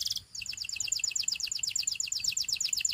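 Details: Canary song for practice: a brief buzzy burst, a short gap, then a steady, rapid trill of bright, downward-slurred chirps, repeated about eight per second.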